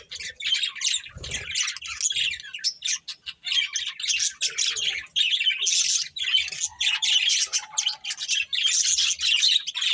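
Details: A budgerigar breeding pair giving continuous warbling chatter, dense scratchy chirps and clicks with occasional short lower whistled notes and a brief soft thump near the start.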